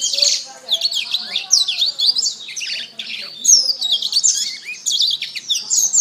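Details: Canary song used as a training master for cage birds, morning or afternoon: fast, high chattering warble of slurred whistles and short trills running continuously.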